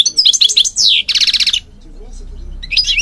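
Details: Singing European goldfinch used to train birds, linked to Morocco: rapid tinkling twitters, a falling whistled slur, then a buzzy trilled run, followed by a quiet gap and a final chirp burst.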